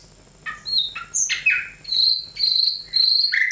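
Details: Singing nightingale delivers a quick string of contrasting notes: short chirps, slurred sweeps and several sustained high whistled notes, one after another with little pause.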